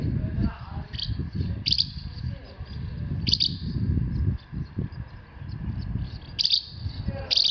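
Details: Asian house martin in Himeji, Hyogo, Japan, 4 May 2021 around 11:24, giving short, dry chirrups in brief pairs every second or two over a heavy low rumble of wind or distant traffic.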